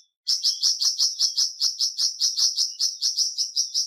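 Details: Flamboyan bird bursting into a continuous run of high, clipped chirps, close to three per second, steady in pitch and loudness throughout.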